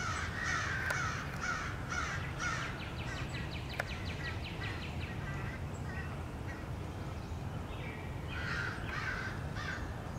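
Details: Many crows chasing and attacking a nesting bald eagle, recorded 30 March 2016: rough caws early on, a rapid rattling series in the middle, quieter gap, then more hoarse caws near the end against constant low background noise.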